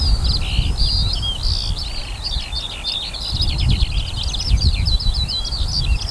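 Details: Skylark song over a summer barley field on 28 June 2018: a continuous, fast, high-pitched stream of bubbling trills, slurred whistles and chirps that never pauses, with steady low wind noise underneath.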